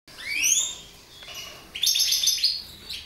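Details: Mutation goldfinch singing: two bright upward-sweeping whistles, a short lull, then a dense burst of high, tinkling twitters near the end.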